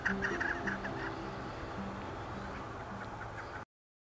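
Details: Chukar partridge from the introduced population in the Kamloops area gives a rapid run of low, clucking chuk notes, about four a second, over a steady background hiss.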